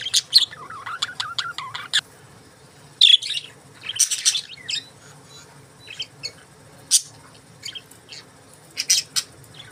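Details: Budgies chirp in quick bursts: a fast string of high, sharp notes with a low warble, then scattered chirps and chattering phrases separated by short pauses.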